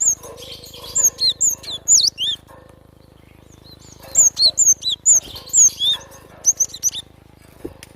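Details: Java sparrow song in a natural setting, delivered as quick runs of high clear chirps and tinkling notes, a quiet gap midway, then another lively burst, with a soft steady background hum.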